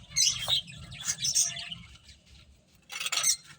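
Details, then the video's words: Finches chirping while playing, short bright high chirps in bursts with a quiet gap in the middle, faint low hum beneath. "Beautiful Birds Chirping Sounds | Cute Finches Playing"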